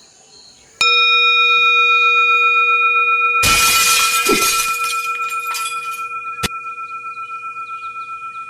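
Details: Sustained electronic tones ring out, broken by a loud crashing, glassy burst and a few sharp clicks, with no creature calling.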